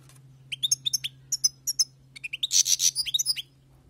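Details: Wild-caught European goldfinch singing: bright, rapid twittering of short chirps and tinkling notes in quick bursts, building to a dense, buzzy jumble of notes near the end, over a steady low hum.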